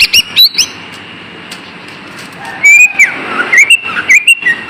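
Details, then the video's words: Green leafbird lure song meant to get idle kept birds singing: a few bright chirps at the start, a quiet pause, then a run of clear whistled notes rising and falling, ending in sharp chirps. "SUARA PANCINGAN BURUNG CUCA IJO AGAR TIDAK MALAS"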